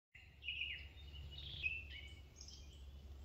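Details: A European crested tit (Lophophanes cristatus) on Monte Biaena, Trentino, calls with thin, high notes that run into a short buzzy, rolling trill, over a low background rumble.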